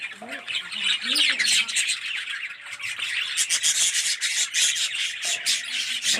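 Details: Red-eyed yellow budgerigars in a colony aviary: continuous high, rasping chatter from a crowd of birds, with lower looping whistled notes at the start and near the end.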